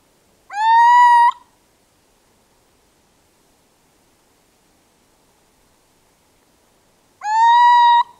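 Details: Little Owl, a small species found throughout much of Europe and often in urban areas, giving two drawn-out clear calls about six seconds apart. Each call rises briefly, then holds level and rich in harmonics for under a second, over silence.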